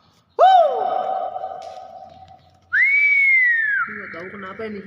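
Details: Nias hill myna: a sudden arching whistle that slides down and holds steady, then a long, clear, high whistle that rises, levels off and slowly falls. Brief wavering, voice-like notes close the phrase.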